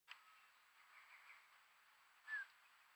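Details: Female Eurasian scops owl, one of a pair visiting a pond in the Pesaro hills on 25 May 2022, gives a single faint, short whistled note dipping near the end, unlike the usual "chiu" call; camera trap recording with hiss and a click at the start.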